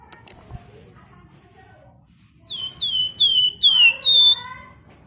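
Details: Flamboyan bird in 'nyerecet' style: soft, faint chattering notes, then a run of loud whistles sliding downward, the final two fuller and more ringing, packed closely together.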